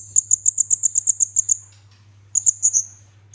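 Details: Olive-backed sunbird song, kept bird used as a training recording for other songbirds: a fast run of about ten thin, high, sharp notes over one and a half seconds, a pause, then a shorter burst, over a low steady hum.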